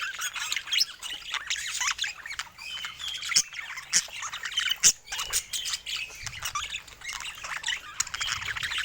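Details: Budgies kept as pets chatter in a dense, high, scratchy chorus of warbles and squawks, with several loud sharp clicks scattered through.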